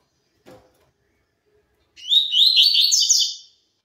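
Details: Pure tui tui zel zel song of a double-collared seedeater: a faint knock, then after a pause a fast, buzzy, chattering phrase of high notes lasting about one and a half seconds before silence.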